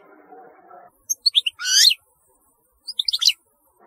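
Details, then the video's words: European goldfinch giving short bursts of sharp high twittered notes and a buzzy rising phrase, then a second cluster of quick chirps after a pause. "تغريد رهيب للحسون"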